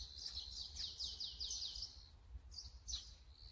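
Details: Brown-eared bulbul, recorded with a Sony camera and long zoom lens, uttering a fast series of loud, falling, squealing notes, then two shorter squeaks after a pause.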